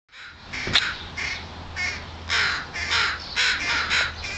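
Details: Fledgling American crow begging noisily while its parents caw to drive away a person photographing it; harsh, nasal cries repeated roughly twice a second in a steady series, with low background hum.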